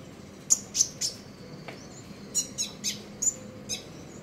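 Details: Common iora singing in the morning in the trotol ngeriwik chattering style: a rapid series of very high, short, sharp chips, roughly three to four per second in bursts, with a faint low hum behind.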